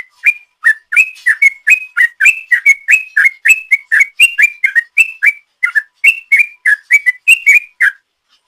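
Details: Sooty-headed bulbul in long 'ropel' song used as a lure: a rapid, unbroken run of short whistled notes alternating between slightly higher and lower pitches, about three to four per second, with no other sounds.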